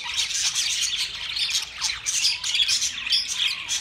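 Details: Budgerigars in a group give dense, overlapping high squawks and warbling chirps, a continuous busy chatter with no pauses and sharper notes standing out now and then.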